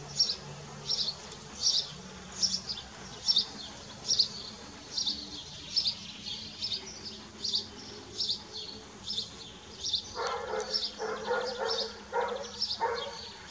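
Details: Common kestrels at Dohr on 4 June 2015, a male bringing a mouse while the young feed: high, sharp calls repeat roughly every second, then a louder, denser chattering burst of calls from about ten seconds on.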